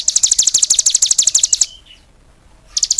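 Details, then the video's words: Cigun in energetic song, giving a quick run of bright, high chirps, then a pause with a faint short note before the trill starts again. "suara burung CIGUN gacor"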